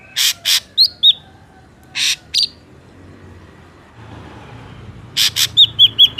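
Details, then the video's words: Ashy drongo, natural wild recording used as a lure for trapping drongos: pairs of harsh, broadband rasping bursts alternate with clear, slurred whistled notes, then a closing run of five quick repeated whistles, over a low rumble of distant traffic. "SUARA BURUNG SRIGUNTING ABU ASLI SUARA ALAM"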